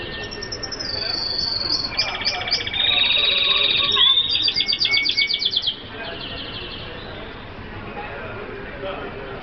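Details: Red siskins, tropical birds from Colombia of an F1 Guadeloupe line, sing a fast twittering song of high buzzy trills and chirps for several seconds over a steady background hiss.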